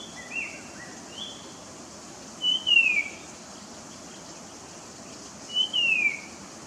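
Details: Song of a puff-throated babbler, a loud descending whistled slur repeated twice about three seconds apart, preceded by faint, short, higher notes and set against constant low hiss.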